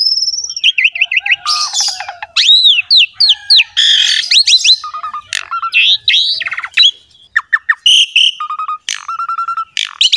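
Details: Continuous Asian pied starling song, used as a master to make quiet birds sing: arched whistles, scratchy chatter and steady mid-pitched whistled notes, ending with a series of sharp repeated chips.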